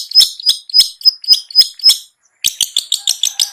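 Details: Cendet, the long-tailed shrike, singing ngetet as a lure for caged birds slow to sing: quick series of high harsh chips about three per second, a short gap, then a faster burst of buzzy notes.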